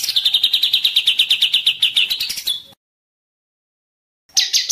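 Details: Agitated white-rumped shama giving a long, fast rattle of high, buzzy notes. After a silent pause, the bird returns with a bright, dense trill.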